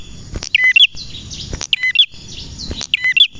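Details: Chattering song of a male red prinia, three clear bursts of clipped high chirps with upturned ends, spaced about a second apart, over a faint steady high whine.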